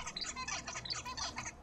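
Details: Zebra finch song from an adult son who learned it from his father as tutor: a fast string of buzzy, nasal notes and brief harsh stacks, repeated in a tight motif, with faint low background hum.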